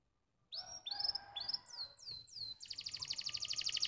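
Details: Canary song used to stimulate other canaries: after a short silence, three rising whistled slurs and two falling sweeps, then a bright, very fast trill of rapidly repeated high notes to the end.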